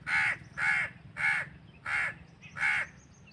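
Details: Crow cawing naturally in a fast series of five coarse, nasal caws roughly every half second, the last slightly delayed, against a quiet background.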